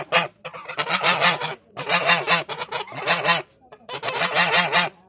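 Geese honking in loud, harsh bursts, several nasal calls run together in three clustered bouts over five seconds.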